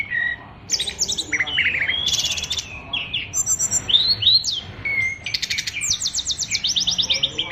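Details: A Bali-type brown-chested jungle flycatcher, kept as a fighter songbird, sings a song crammed with imitated phrases. Bursts of fast buzzy trills alternate with looping whistled notes and high metallic rattles.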